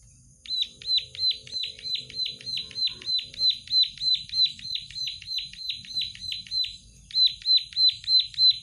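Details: Plain prinia singing gacor style, a steady train of sharp, wheezy, downslurred notes at about three per second, nearly unbroken for eight seconds with one brief gap near the end.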